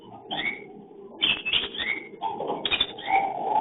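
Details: Cockatiel mating call recorded by a hidden camera during breeding: quick, rising, squeaky chirps alternate with short mid-pitched whistles over a rustling background.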